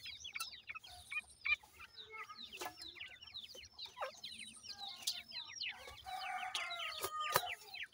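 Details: A flock of 28-day-old francolin chicks feeding in a yard keeps up dense, high, falling peeps and chirps, with scattered tapping clicks as they peck.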